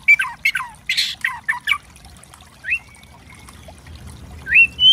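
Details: White-rumped shama spotted 'trotol' lure song to provoke birds: a run of harsh falling rasps, then sparse clear rising whistles.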